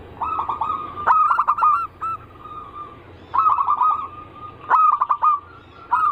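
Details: Zebra dove cooing in the anggungan style, used as a lure: three bursts of rapid, bubbling coos, each opened by a sharp click, with a softer drawn-out coo between them.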